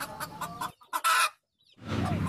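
Hen clucking in short, clipped bursts, then a brief squawk and a harsher clucking run; a man speaks over the start.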